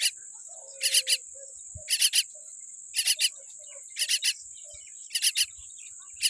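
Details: Weak-beaked baby common myna making grating two- and three-note bursts, the groups coming about once a second, over a continuous shrill background tone.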